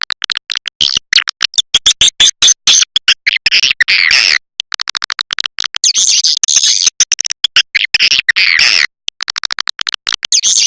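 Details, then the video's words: Swiftlet lure call used at dusk, heard as harsh clicking pulses and buzzy chattering twitters in repeated bursts with short silent breaks. "Suara panggil walet SENJA"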